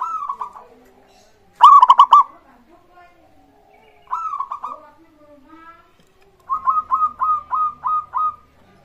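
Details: Actively singing local zebra dove used as a lure for other birds: several rolling coo phrases, one loud and harsh, ending in a steady run of about seven evenly spaced short coos.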